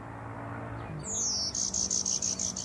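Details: Unusual warbler, possibly a backcross with a tiny bit of golden-winged blood, gives a chickadee-like call: a very high, thin whistle sliding downward, then a quick run of about six sharp, high notes; faint hum and a man's voice.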